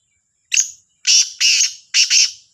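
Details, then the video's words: Black francolin at Sahiwal in the morning, 18/09/22: sharp lead note, then loud rasping notes delivered in pairs, creaky and grating, with a faint continuous high-pitched tone underneath. "کا لا تیتر کی صبح کی آواز | Kala Sindhi Teetar Ki awaz"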